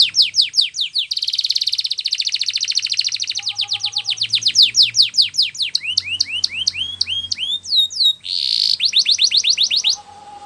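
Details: Spanish Timbrado canary training song: long fast trills of repeated descending notes, a buzzy rolled section, slower upward-sweeping chirps, then a harsh burst and a quick trill, with a faint low hum beneath.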